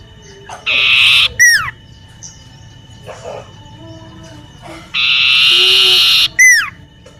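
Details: In a garden near a home, a common iora sings twice. Each phrase is a harsh, rattling trill followed by a clear whistle falling in pitch. Faint chirps and rustles fill the gaps.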